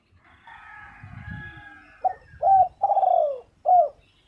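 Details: Spotted dove coos: a short note, a rounded coo, a long falling coo and a final short note, preceded by a faint, drawn-out harmonic call like a distant rooster.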